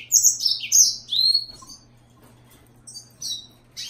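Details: Green singer, the yellow-fronted canary, giving rapid high chirps and a clear slurred whistle in an opening burst, then scattered short twitters after a quiet gap over a steady low hum.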